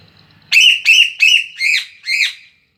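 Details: A Sule bird singing loudly for training: five ringing, squawky whistles in a quick even series, the later notes arching downward, with the surroundings otherwise quiet.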